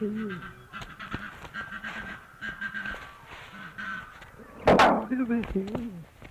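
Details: Australian musk duck recorded by researchers mimicking human speech, repeatedly saying 'you bloody fool': droning, speech-like harmonic phrases that rise and fall, with a loud rough burst midway.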